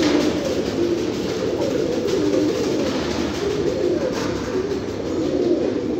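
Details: Several domestic fancy pigeons coo together, their low burbling, wavering notes overlapping continuously with no clear breaks over six seconds.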